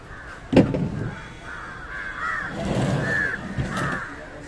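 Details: Harsh, rasping caws from an Indian jungle crow feeding on fish, four or five hoarse notes spread across a few seconds, with a sharp knock and low rumbling background noise.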